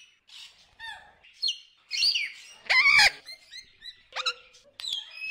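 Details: Hungry wild macaws in the Amazon jungle rainforest: a varied run of short squawks and chirps, peaking in one loud, harsh, rasping screech at mid-clip, with scattered higher calls from several birds.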